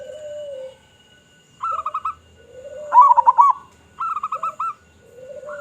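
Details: Local zebra dove with a big voice, recorded as a lure for other zebra doves: trilled coo runs from several birds alternate with long, low, mellow coos, the loudest phrase in the middle.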